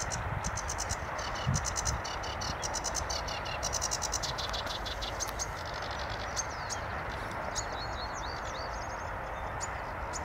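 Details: A sedge warbler in the Munnikenpolder, the Netherlands, on 25 April 2024 sings a fast, scratchy chatter of rapid repeated clicks and trills, later mixed with thin rising whistles, over a steady low rumble of wind.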